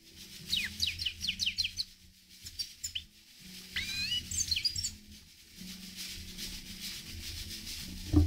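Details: Himalayan goldfinch twittering in short bursts of fast, high, descending and rising notes, two phrases separated by a pause, over a steady low hum and light background noise.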